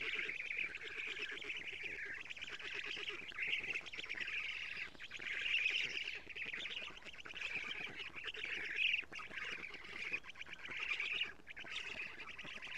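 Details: Black stork nestlings at a nest in Estonia, filmed by a live nest camera at 07:47 on 14 June 2017 as the female arrives with many lampreys; dense, rapid, rasping chatter runs almost nonstop, swelling and fading in waves.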